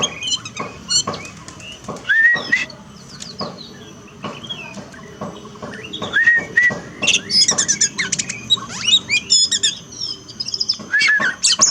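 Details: Oriental magpie-robin song meant to rouse a kept bird reluctant to sing after moult: repeated clear downslurred whistles mixed with rapid high chirps and buzzy trills in energetic bursts.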